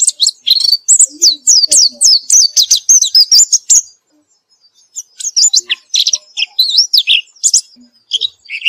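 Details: White-eye in full song after therapy: a rapid stream of high, swooping chirps and trills for four seconds, a short pause, then another lively run of varied high twitters.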